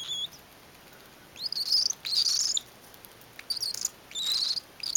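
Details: Cockatiel giving harsh, buzzy, high-pitched rasping bursts in quick repeated spells while a mother cockatiel feeds a baby.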